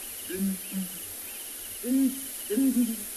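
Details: A breeding pair of Southern Ground Hornbills, male and female, give their booming call in the morning at Ngala Private Game Reserve, South Africa, on 29 December 2020: deep, muffled hoots in bursts of two or three, answering about every second, with faint high chirps behind.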